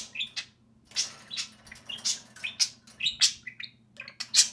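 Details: Chirping and chattering from two pet budgerigars at play outside the cage, with quick high tweets and scratchy notes about once a second, a brief pause at the start, and a soft mechanical hum underneath.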